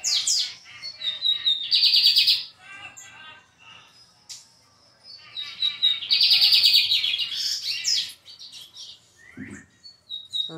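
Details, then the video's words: Brown-plumaged lined seedeater delivering two bursts of shrill, rapid trilled song separated by a pause of a few seconds, each burst a dense rattle of high chirps ending abruptly, with a faint click near the end. "BIGODINHO PARDO DE JOÃO ESSE TEM CANTO!"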